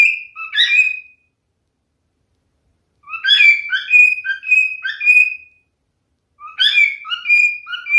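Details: Male cockatiel song in three bursts of bright, chirping whistles, the middle one lasting over two seconds, with long quiet gaps between them. No other sounds are present.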